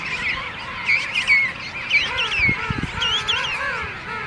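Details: A dense king penguin colony chorus at the St Andrews Bay rookery, South Georgia: many overlapping brassy, warbling trumpet calls wavering up and down, with no single bird standing out.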